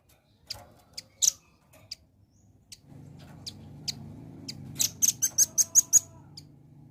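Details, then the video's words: Velvet-fronted nuthatch song played to lure a bird: scattered high single notes, then low background rumble and a fast run of about seven sharp, high repeated notes. "PANCING BUNYI BURUNG RAMBATAN PARUH MERAH AGAR CEPAT RESPON"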